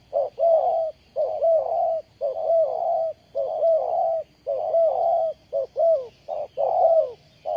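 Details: Spotted dove used as a ground decoy bird for trapping wild doves, giving low, hoarse cooing phrases repeated about once per second, each a short series of throaty notes with a slight upward inflection, about eight phrases in a row, in a quiet setting.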